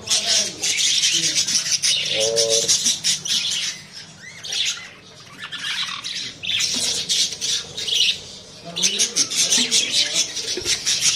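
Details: Many budgerigars in a breeding colony with nest pots holding eggs and chicks chatter together in busy, scratchy warbles and sharp squawks with hardly a pause.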